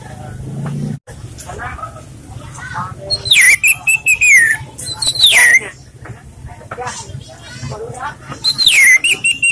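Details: Orange-headed thrush (anis merah) singing a relaxed song used to lure or train other birds: loud whistled phrases, each a sharp falling sweep into a held, wavering note, in bursts around the middle and end, over a low steady hum.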